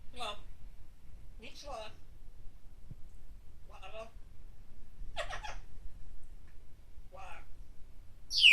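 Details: Pet parrot indoors, cheering for basketball player Jeremy Lin and calling "Go! Jeremy!" during a game; short, harsh speech-like syllables at spaced intervals, ending in a sharp, loud squawk in a small room.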